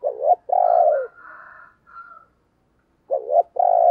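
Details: Decoy spotted dove used to set off other doves' cooing. A broken double note and long coo, a pause of faint humming notes, then another stuttered note and sustained coo, clear and close.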